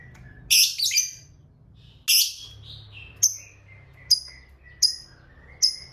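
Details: Lovebird in a fighter-type recording with long ngekek, played so silent birds answer: loud harsh buzzy bursts early, then thin squeaks and crisp, high, falling chirps roughly every 0.8 seconds.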